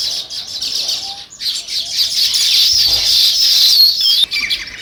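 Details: Sparrows, described as weaver birds, chatter in a crowded flock, giving quick high tweets in a loud, nearly unbroken wash, with a short lull early and a few falling whistled notes near the end.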